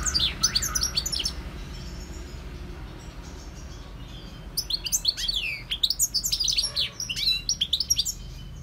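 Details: Singing goldfinch: an opening burst of twittering, a quiet pause, then a longer stream of rapid high chirps and sweeping notes with short clipped syllables at the end.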